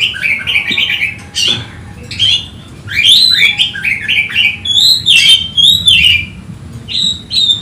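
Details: Agitated Oriental magpie-robin seeking a rival, singing loud clear whistled phrases with downward and upward slurs, short chattering bursts between them, and brief pauses; a faint steady hum underneath.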